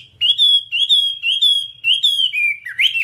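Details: Whambie singing on a nonstop tutor track for caged birds, a run of bright slurred whistles, each rising then levelling, repeated about twice a second, ending in a sharper twisting note.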